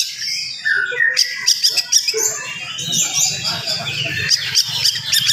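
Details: Oriental magpie-robin singing fast and nonstop in the morning to provoke other magpie-robins. Rapid run of short chips, whistles and slurred notes, several per second, over faint low background noise.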